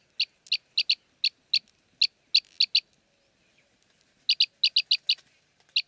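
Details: Arabian green bee-eater, Jeddah, Makkah Region, Saudi Arabia: about nine sharp chirps, some in quick pairs, then a silent gap of over a second before a fast burst of six or seven more.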